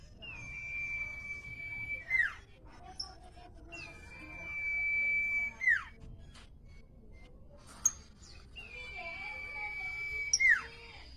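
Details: Common iora song: three long, level whistled notes, each held about one and a half seconds before dropping in a quick downward slur, repeated roughly every four seconds, with faint short chirps between them.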